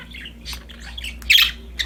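Budgerigars chatter in quick, scratchy high chirps and squawks, with a louder burst of warbling near the end and a low room hum beneath.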